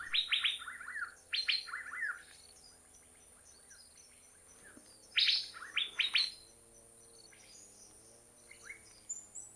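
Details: An Asian fairy-bluebird in a Thailand forest gives loud, liquid whistled phrases in bursts a few seconds apart, each a quick rising-and-falling run of sharp notes, with a steady high insect hum behind.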